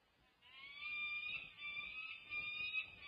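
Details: Peregrine falcons feeding at a UC Berkeley nest on 1 June 2024. The female feeds her daughters while the male joins from a perch above. A single long, harsh whining call swells and then wavers for over two seconds.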